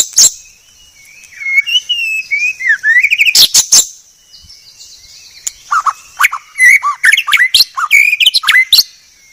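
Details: Masteran recording of white-rumped shama (murai batu), billed as the clearest: varied warbled phrases of sliding whistles, sharp clicks and quick rising and falling notes, with brief pauses between bursts.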